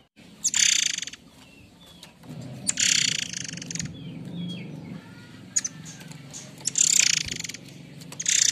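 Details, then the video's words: Air Mancur-type White-rumped shama utters its harsh provoking notes for tutoring other birds: four grating, buzzy bursts at irregular intervals, with soft thin whistles in between and a constant low hum. "Suara kasar andalan Murai Air mancur"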